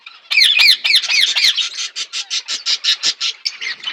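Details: Budgerigar flock eating food: harsh squawky chirps with looping warbled notes, then a steady run of short buzzy chatter pulses about five per second.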